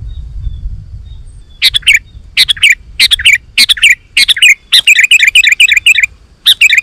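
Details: Sooty-headed bulbul in lively song meant to lure wild bulbuls to respond: short bubbly, fluty phrases repeated in quick succession after a quiet start, some faint low background noise.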